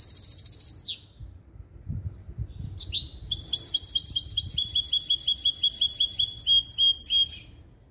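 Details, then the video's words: Hybrid of a male European goldfinch and female canary, schooled in clean limpio goldfinch base calls, singing a long rapid sequence of high ringing trills and slurred notes over several seconds after a brief pause. "CHANT DE MON HYBRIDE JILGUERO ET CANARI"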